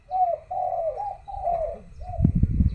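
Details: Spotted dove cooing around midday in Thailand; a phrase of several low, smooth, slightly falling coos in quick succession, followed by knocking and thumping noises.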